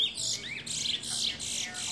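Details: A chestnut-bellied seed-finch (Trinidad bullfinch), a proven teacher bird, sings a fast, high, continuous warble of bright chirps and rising slurred notes. It sounds like it is indoors, with no other sounds.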